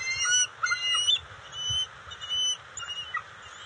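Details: Bald eagle juveniles on the NCTC nest, June 29, 2021, with eel and fish deliveries; softer, thinner squealing calls in irregular bursts over a hissy background.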